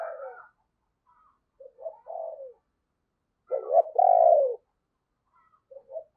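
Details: Decoy spotted dove in the 'giọng sấm bầu' style, used to lure wild doves: soft low coo notes, a pause, then a loud rough two-part coo with a long drawn ending.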